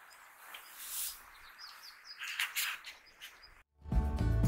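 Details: Lesser redpoll (Acanthis cabaret), call.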